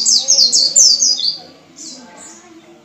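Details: Lure song of a white-eye in ngalas style for caged white-eyes; a loud, rapid cascade of high, falling whistled notes, ending with two softer, rounded high calls.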